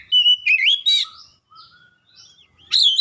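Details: Oriental magpie-robin song made of sustained whistled notes and quick buzzy trills, a faint middle section of soft thin whistles, ending in a loud, harsh warbled burst.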